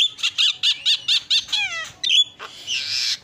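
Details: Javan myna chatter from a training recording: six evenly spaced nasal double notes, then a falling whistled sweep, a sharp chip and a long harsh hiss.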